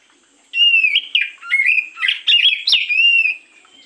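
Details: Lure recording of an oriental magpie-robin at morning: strong, varied song of sweet whistled phrases, upslurred and downslurred, with scratchy rasping notes in between, lasting about three seconds.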